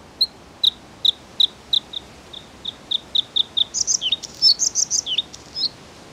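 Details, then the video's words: Bluethroat song: a run of short, clear, high notes repeated about every third of a second, quickening into a varied, buzzy, warbling flourish of high slurred phrases near the end. "The song of the Bluethroat"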